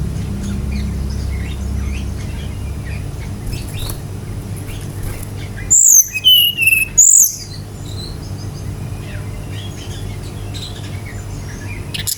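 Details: Brief Brown-chested jungle flycatcher song used as a singing lure: two quick bursts of bright high whistles in mid-recording, with long stretches of faint hiss and scattered soft chips around them.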